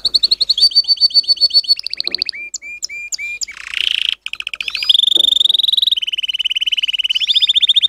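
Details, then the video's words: Canary training song: varied rolling trills, a series of high pure whistled notes, a harsh buzzy burst, then long fast metallic trills at different pitches. "best canary training song - canary singing"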